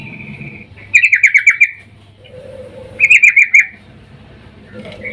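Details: Sooty-headed bulbul female calling the male in breeding mood, as a lure: two short bursts of about six fast chirps each, separated by a second of quiet and a low faint hum.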